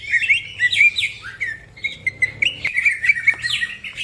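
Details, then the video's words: Green leafbird (cucak ijo) singing briskly, a master recording to stir other birds; clear whistled notes and short rising and falling slurs in a quick sequence, with a couple of sharp clicks. "The green cucak bird makes noise, other birds also become gacor"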